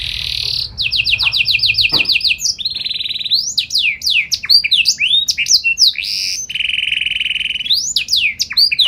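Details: Canary singing with piercing notes and elaborate phrasing, intended to draw answers from other canaries: rapid pulsed trills stepping down in pitch, swift swooping whistles, a steady rolling trill, then more sweeps.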